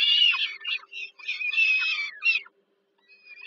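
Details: Peregrine falcon chicks fed by their mother at dinner, Żerań, Warsaw, Poland, July 2022; loud scratchy squeals in two clusters, then near silence with one faint thin note; low hum beneath.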